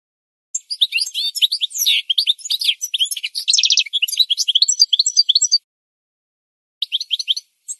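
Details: Goldfinch singing in a training recording for birds: a five-second run of fast, rich twittering with a short rattling trill and high chirps, a pause, then another short twittered phrase.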